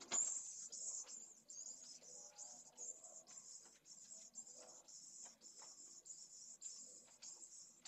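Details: Pallid swift chicks begging for food at their nest, filmed by a live nest camera at Esclavas de Jerez, Jerez de la Frontera, on 8 September 2022: high, thin, buzzy trills in bursts of under a second, separated by short gaps, over soft rustling in the nest.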